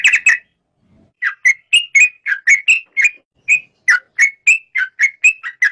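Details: Yellow-vented bulbul uttering a regular sequence of short, clear whistled notes, spaced about a quarter second apart after an opening double note.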